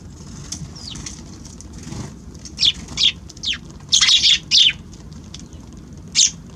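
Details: Eurasian tree sparrows visiting a balcony on January 6, giving short, harsh chirps. Faint ones come first, then a run of loud ones about every half second, some doubled, ending with one last chirp. A low hum stays underneath throughout.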